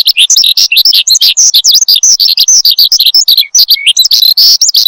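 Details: Horsfield's bushlark in full, continuous cage-bird song used as a lure and master recording. Dense, rapid run of varied high chirps, trills and slurred whistles with almost no pauses.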